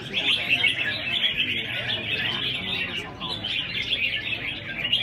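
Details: Competition chorus of caged red-whiskered bulbuls in a 24-bird selection round; a steady wall of rapid, bright chirps and trills, easing briefly near three seconds before resuming.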